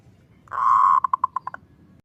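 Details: Zebra dove, kerot ngutut kowar song used for training, therapy and luring: a sustained mellow coo about half a second long breaks into six rapid staccato notes, then silence over a low hum.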